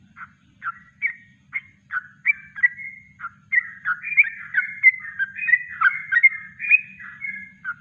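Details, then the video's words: Kongslet-style natural song of a yellow-vented bulbul for training birds: spaced, chirpy whistled notes at first, then a denser run of bubbling, overlapping warbles in the second half. "Masteran Trucuk Kongslet Alami"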